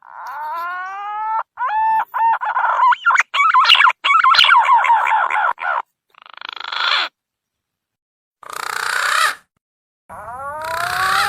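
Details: Green pigeon call used as a lure to catch birds: rising harmonic whistles, then choppy warbling notes, interrupted by harsh buzzy bursts and a final set of upward-sweeping whistles.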